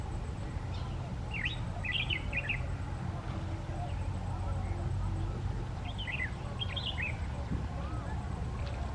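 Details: Asian palm swifts courting and mating among palm fronds where they nest, with many birds flying in, give two bursts of high, thin, chattering twitters a few seconds apart over a steady low rumble.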